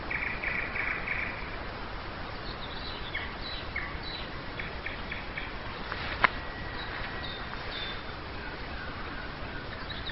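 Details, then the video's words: Nightingale singing at dawn in May 2011 in Nizhny Novgorod, Russia: faint trilled phrases and short repeated pulses mid to high, with one sharp whistled note, under steady broadband background noise. "Пение соловья"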